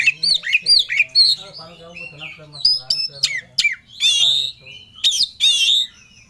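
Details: Oriental magpie-robin in emotional rival-seeking song: a quick series of looping, upswept whistles, then harsh squawky notes and loud buzzy warbled phrases, faint low hum in the background.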